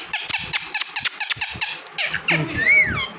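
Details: Talking pet parrot gives a fast series of rough clicking chatter notes, then ends on a single rising-and-falling whistle, with a person calling to it just before and after.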